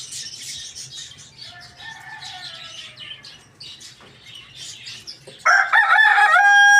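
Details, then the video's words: Morning crow of a rooster. A faint drawn-out crow comes first, then a sudden loud, rich, harmonic crow that fills the end. Small birds chirp busily in the background. "Chicken rooster crowing loudly in the morning"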